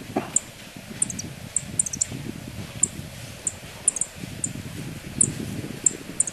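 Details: Yellow-throated bunting, male and female, at Kobe Municipal Forest Botanical Garden, 20 January 2015: very high, thin, clipped tick notes, single or paired, repeated roughly every half second over low background rumble.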